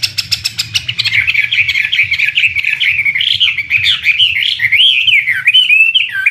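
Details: Chinese hwamei, an imported premium contest and fighting bird, delivering a rapid, continuous warbling song of slurred, rising and falling whistles that opens with a quick burst of repeated sharp ticking notes, over a faint low hum.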